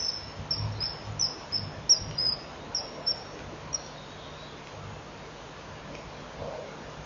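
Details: Kingfisher pair at their nest burrow in the middle of the day, 26 May 2015: the male leaves the tunnel while the female stays behind, and they chip to each other before mating. Rapid, thin, high chips, about three per second, then quiet with a low hum.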